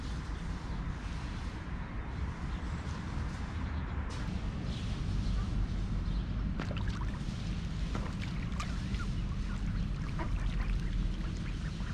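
Steady low rumble of wind and motor-like noise throughout, with a few faint clicks or splashes and no clear animal calls.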